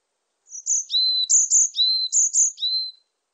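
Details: Varied tit delivering a steady song of about eight notes over two and a half seconds, high thin whistles alternating with lower, slightly descending tones.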